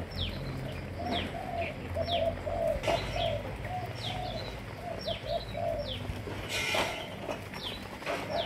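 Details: Malaysian spotted doves of several lines, held by a breeder, coo in low, mellow repeated phrases, overlapped by frequent high downward-sweeping chirps from other birds and occasional bursts of broadband rustling noise.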